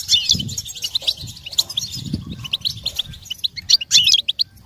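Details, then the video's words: American goldfinch song: a fast, high, twittering run of short chirps and sweet notes, steady throughout, with a faint low rumble beneath. "Birds Chirping How To Attract Goldfinch Attracting With Songs"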